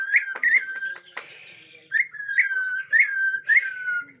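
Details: Agitated Bornean white-rumped shama in forest: clear whistled phrases, each ending in a quick rising flick, repeated in a loose rhythm around a brief burst of hiss.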